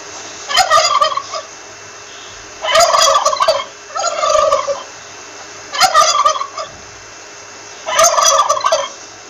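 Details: Five bursts of gobbling from a wild turkey, harsh, rolling and repeated every one to two seconds, some in close pairs, with faint hum between them.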